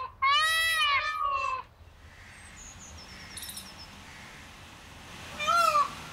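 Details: A muster of peafowl calling: a loud, wailing, harmonically rich cry sweeping slightly downward lasts over a second, faint thin high whistles follow, then a second shorter wail closes the recording.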